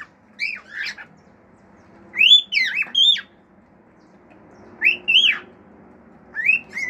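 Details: Pet male cockatiel at home whistling, including a wolf-whistle style phrase: paired rising-then-falling whistles repeated about every two seconds, separated by quiet pauses with faint low room hum.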